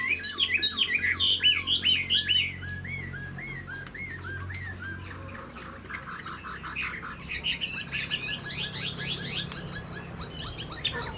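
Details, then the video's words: Caged, tame Chinese hwamei displaying with spread tail and raised wings; loud looping whistled phrases for a few seconds, then softer, scratchy and chattering notes with a brief burst of high rapid trills. "Chim họa mi thuần đuôi xòe, chơi cánh đại bàng cực đẹp"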